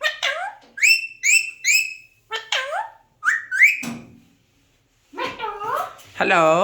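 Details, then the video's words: Alexandrine parakeet talking, mimicking words such as "hello" and "meow": about ten short, nasal, harmonic syllables with quick rising-falling glides, grouped in twos and threes with brief pauses, ending in longer wavering meow-like notes. "alexander parrot talking"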